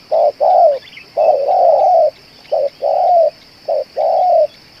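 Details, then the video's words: Spotted dove used as a lure and said to coo for two hours, giving low mellow coos where a brief note leads into a longer drawn one, repeated in a slightly uneven rhythm. "BL ini tahan bunyi dan menguku 2 jam‼️ cocok untuk di jadikan pikat"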